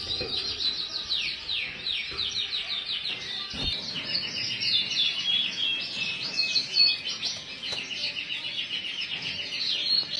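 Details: Full frill canary in sustained song: long sequences of quick repeated descending notes, rolling trills and chattering phrases, changing tempo throughout, with a few faint clicks and knocks in the background.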